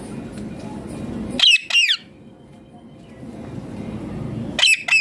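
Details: Ringneck green parrot giving two pairs of sharp, harsh squawks, each a quick rising-then-falling screech, separated by a quiet pause of nearly three seconds; faint room hum underneath.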